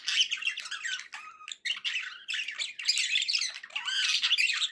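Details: Happy budgie sounds from pets indoors: continuous dense squawky warbling with chirps and harsh chatter, one brief pause partway through.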